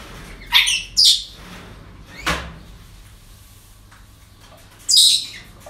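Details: Parrots at a breeding centre on an ordinary day, giving two quick harsh screeches close together, a sharp click, then a single louder screech after a quiet stretch.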